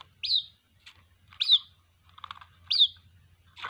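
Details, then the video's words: Calling for its mother, a white-breasted waterhen chick gives three shrill rising-falling peeps, with softer, lower chattering notes between them and a low steady hum behind. "Suara anakan Burung Ruak Ruak, memanggil Induk Ruak"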